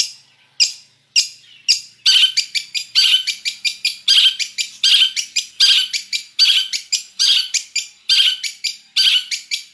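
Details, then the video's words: Long-tailed shrike delivering its full mixed fill-in song: a rapid, harsh, scratchy chatter of rasping notes repeated more than once per second in uneven bursts, loud and dense throughout, no other sounds. "Suara Cendet Campuran Isian Full"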